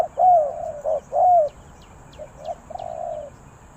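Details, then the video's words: Spotted dove from Ninh Thuận, Vietnam, singing in the Thai three-kuk-hoi style. Two strong, low, hooting coos are followed by softer short notes and a long drawn-out coo. Faint high ticks sound in the background. "เสียงนกเขาใหญ่ 3กุกห้อย เรียกลงกุก2กุก,Cu gáy Ninh Thuận"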